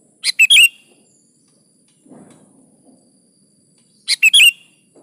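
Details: Sooty-headed bulbul singing strongly (gacor), intended to make other bulbuls answer: two identical three-note chirpy phrases with warbling whistled endings, four seconds apart, and a soft low rustle between them.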